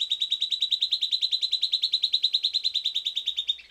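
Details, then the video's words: Silvered antbird song recorded after playback: a long, fast, even trill of buzzy whistled notes, roughly three per second, holding level pitch throughout and fading with a slight downward slur at the end. "Silvered Antbird Sclateria naevia Singing"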